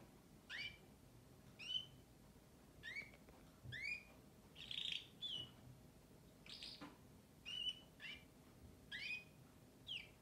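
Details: Canary singing: separate short upswept chirps and whistles spaced about one second apart, with a brief buzzy note near the middle, over a faint low hum.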